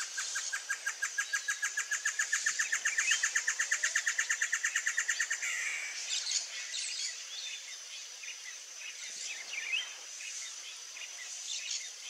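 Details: Blue-crowned trogon (Trogon curucui) call: a fast run of short, even, hollow notes for about five seconds, with a steady high chorus of insects and other birds behind.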